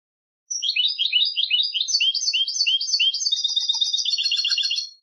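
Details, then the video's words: A continuous five-second stream of quick liquid twitters and tinkling notes from a European goldfinch singing for competition, accelerating into rapid repeated trills near the end. "cd concurso jilguero"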